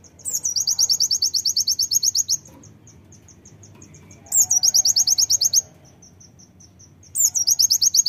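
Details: Brown-throated sunbird, a fighter bird, sings three bursts of fast, high, buzzy chattering trills, each lasting about two seconds. Softer ticking notes fill the pauses between bursts over a quiet low background hum.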